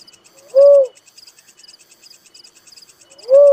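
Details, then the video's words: A little cuckoo-dove gives one soft, arched, hooting note, then begins another about three seconds later. Pulsing high insect chirps continue in the background. "suara burung tekukur merah || suara burung uncal"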